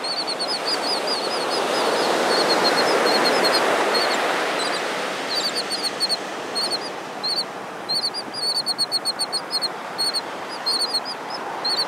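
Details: Royal tern on Malibu Beach, a presumed male trying to win a female's interest: rapid series of short, high, arched notes, often in quick rattling bursts, over the steady roar of surf.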